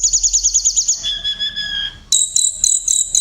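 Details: Tledekan, a songbird kept as a vocal tutor for other birds, giving a rapid high trill of repeated notes, then long steady whistled tones, then a fast series of sharp high chirps.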